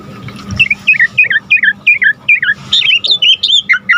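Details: Asian pied starling, a cage bird in Indonesia used to tutor other songbirds, delivers a steady series of short looping whistled phrases roughly three per second, ending in higher, more varied twisting notes.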